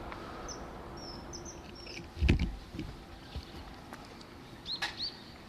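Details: Common kingfisher on a residential river, a tributary of the Tama River, Tokyo, Japan, 17 February 2018; brief high piercing whistles, a run early and a pair near the end, with a loud thump and knocks amid low rumbling background.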